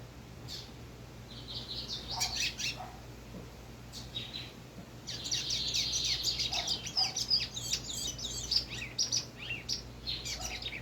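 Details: Brown lined seedeater (bigodinho pardo) kept under a cage cover, singing high, rapid twittering phrases. Short bursts come first, then a dense, chattering run with quick repeated notes from about the middle onward. Faint steady hum underneath.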